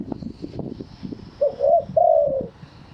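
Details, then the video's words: Thai spotted dove of wild origin crowing: a brief soft note, then a wavering coo and a longer drawn-out, slightly falling coo, over low background rumble at the start. "เสียงนกเขาใหญ่ ขันสด คารมป่าแท้"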